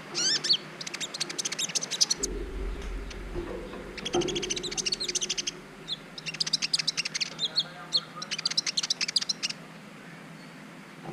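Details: Brown-throated sunbird, green-type, in a training recording meant to raise mating drive in other birds: fast rattling high trills in three separate bursts, with a low rumble and hum in the background.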